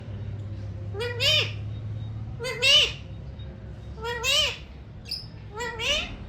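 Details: Alexandrine parakeet saying "mummy mithu": four clear phrases of speech-like mimicry with rising, bending tonal syllables, spaced about a second apart, indoors with a low hum during the first half.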